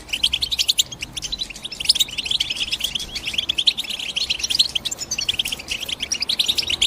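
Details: Goldfinch, European, twittering continuously: fast, high, slightly buzzy chirps packed closely together, steady throughout with clicky accents and light hiss.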